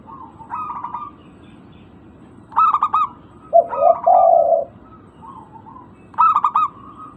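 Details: Zebra doves of a local strain, played to lure birds into calling: spaced bursts of rapid clipped coos, a deeper sustained coo run near the middle, faint coos in between.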